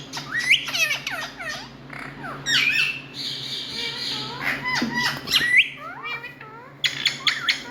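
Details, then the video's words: Indian ringneck parakeet producing loud noise: harsh harmonic squawks and screeches in quick clusters, some drawn-out grating calls mid-way and a burst of sharp notes at the end, against a low steady hum. "Loud Noise🍃Indian Ringneck"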